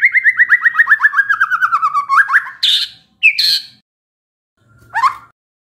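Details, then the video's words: White-rumped shama, said to be stressed and set off by a lure: a quick, evenly repeated run of whistled notes gliding downward, two loud, rasping notes, then a single short call after a pause. "SEKETIKA MURAI STRES SONTAK BERBUNYI DENGAR PANCINGAN INI"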